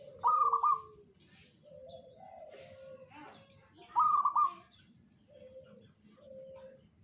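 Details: Local zebra dove in the Jogoboyo song style, associated with attracting good fortune: two strong, rapidly quavering coos about four seconds apart, separated and followed by short, lower, steady coo notes.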